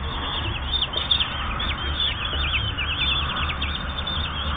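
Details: Common kestrel chicks aged 8 to 10 days during feeding, giving a dense, continuous stream of high, wavering, trilled squeals that rise and fall rapidly, over a steady low hum.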